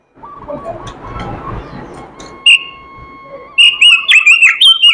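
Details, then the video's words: Oriental magpie-robin with a melodious song: soft background noise and faint lower chirping at first, one sharp whistle, then a rapid burst of loud, warbling high whistles over the last second and a half. "robin suara merdu gacor isihan"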